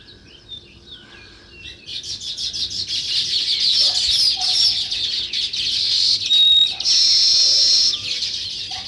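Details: Sparrows chirping: after a quiet start, a dense, high, continuous chatter of overlapping chirps builds from about two seconds and stays loud to the end.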